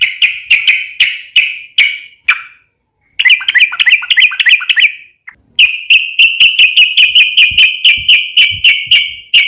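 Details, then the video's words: Sooty-headed bulbul singing long 'ropel' phrases meant to draw replies from other bulbuls: rapid repeated sharp notes with ringing tails, a short warbled run, then a fast steady string of clipped notes. "trucukan gacor ROPEL PANJANG pancingan trucukan agar bunyi"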